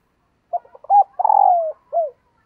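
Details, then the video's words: Female dove calling to stimulate males: short clipped notes, a clear coo, a long drawn coo sliding downward, then a final falling coo. "Tiếng Chim Cu Mái Kích Trống"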